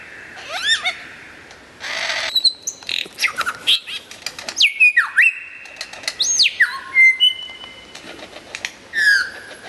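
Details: A lyrebird sings a loud medley: quick rising whistles, a buzzy burst, scattered chips, long downward-sliding ringing whistles and a held high note, its phrases changing constantly.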